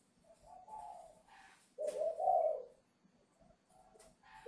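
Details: Ba Vì, Hanoi farm-raised spotted dove whose song is only just forming, prepared for delivery on 10 November; quiet hesitant coos lead into one strong rounded double coo, then faint trailing notes in a still room.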